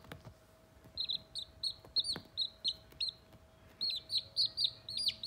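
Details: Baby Sultan chickens only a few days old, a critically endangered crested white breed, playing together; rapid runs of high, sharp downslurred peeps, several per second in two bursts, with a faint low hum behind.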